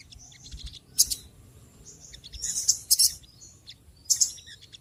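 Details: Small birds calling noisily: short, high, bright chirps and buzzy bursts in clusters about a second apart, over faint low background hum.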